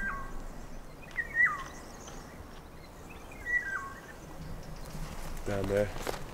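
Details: Eurasian Golden Oriole in the mountains of Spain's Sierra Nevada National Park giving three short, fluting, falling whistled phrases about two seconds apart over steady outdoor hiss; a man's voice cuts in at the end.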